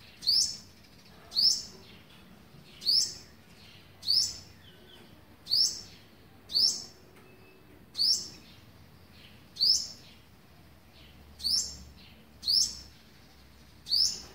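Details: Olive-backed sunbird feeding young on day 11, recorded 27 November 2019; a steady series of about eleven thin, high chirps, each rising sharply then sweeping down, repeated roughly every 1.3 seconds over low background hiss.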